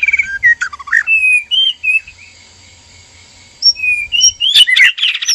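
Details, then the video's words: Caged breeding pair of white-rumped shamas, male and female, mating arousal calls: whistled slurred notes and chips, a gap of near silence, then a loud run of buzzy, harsh notes. "PANCINGAN BIRAHI KAWIN MURAI BATU JANTAN DAN MURAI BATU BETINA DIKANDANG PENANGKARAN"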